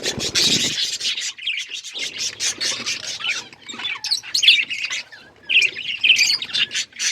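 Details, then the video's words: Budgies during breeding give a stream of brisk, scratchy chirps. Scattered sharp whistled squeaks and twittering phrases follow, with short gaps between bursts. "Budgies chirping sounds budgies breeding"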